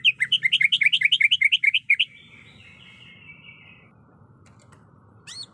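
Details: A breeding-condition female greater green leafbird calling for a male gives a rapid train of looping chirps for two seconds, followed by a flat, buzzy trailing note and a faint high squeak near the end.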